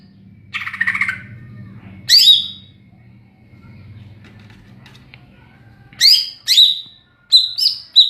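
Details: Greater green leafbird, ngeplong song style, giving a buzzy opening phrase followed by sharp whistled slurs, a pause with low background hum, then four quick bright whistled notes near the end.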